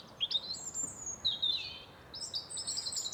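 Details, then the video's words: Several birds chirp in a forest in high, thin twittering bursts, some sliding and warbled, over a soft background hiss. "Forest Ambience Birds Chirping"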